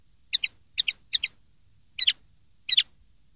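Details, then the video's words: Common linnet sounds recorded for teaching young linnets to sing: paired short twittering notes, five pairs given at irregular intervals, high and clean with no other sounds. "cd educar pardillos noveles 2013"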